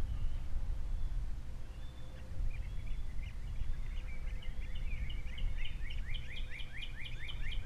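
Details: Nesting osprey at Captiva, three chicks present, February 2022, the male alone after the female leaves; sporadic thin whistles build into an urgent rapid run of rising chirps, heard through heavy low wind roar.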